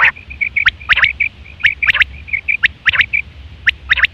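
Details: Quail sound from September 2023, a common call for hunting and mating; dense overlapping high clipped notes and short buzzy chirps, several bursts each second, background low rumble.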